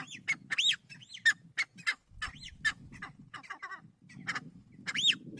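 Kalij pheasant giving loud, squealing, arched notes, rising then falling, in quick uneven bursts of one or two, over a low rumbling background.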